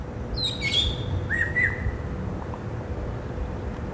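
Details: Varied song of a greater racket-tailed drongo in a herb garden on a Saturday afternoon, 16 December 2017: high chirps and a clear sustained whistle, then a wavering mid-pitched note, before quiet background hiss.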